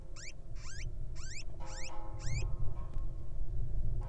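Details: Wild little owl chick hatching from its egg, giving a run of five rising, harmonic-rich squeaky upsweeps about every half second, then falling quiet against a low steady background rumble.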